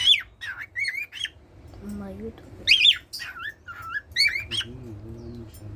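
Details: Pet cockatiel that sings to its owners every day: a lively run of short warbled whistles and squawky chirps rising and falling in pitch, with a brief low humming tone in the middle and a quiet room behind.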